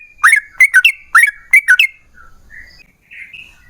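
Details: Yellow-vented bulbul used as a lure to make other bulbuls sing, giving a brief burst of short whistled notes in doubles, then soft faint warbles fading away.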